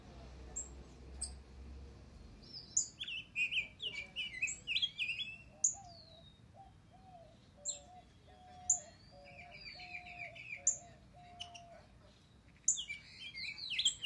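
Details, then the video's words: Rose-breasted Grosbeak (Pheucticus ludovicianus), a kept bird singing contentedly, gives short, sweet, robin-like warbled phrases that rise and fall, among sharp high chirps from other birds and a low, evenly repeated call in the background. "Pájaro Degollado(Pheucticus Ludovicianus) cantando"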